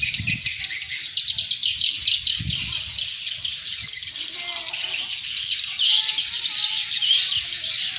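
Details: Lure call for swiftlets, which the birds respond to: a busy, unbroken high twitter of rapid scratchy chirps, with occasional low thumps beneath.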